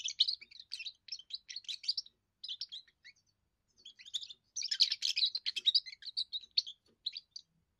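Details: Young European goldfinch singing its first song, meant to declare territory and impress females: continuous, fast, high-pitched twittering and tinkling trills in long phrases, busiest in the second half.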